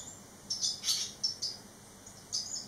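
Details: Eleven-day fledged barn swallows, three chicks returned home; thin high twittering chirps and short whistled notes in quick succession, one louder burst near one second.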